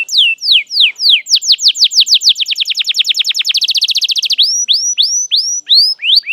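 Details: Canary singing a lure song for juvenile canaries learning their song: falling whistles that speed into a fast rolling trill, then slow upswept whistled notes to finish.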